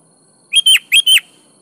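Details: Sooty-headed bulbul (kutilang) singing in full, lively voice, offered as a lure to set other kutilang singing: one brisk phrase of four rich, slightly slurred whistled notes in two quick pairs, lasting under a second, against a quiet background.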